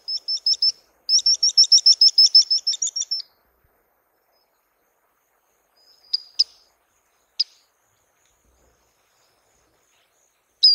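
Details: Swallow-winged puffbird, called urubuzinho in Brazil, giving two bursts of rapid, high, chirping notes, the second longer, followed by long silence broken by a few isolated sharp chips.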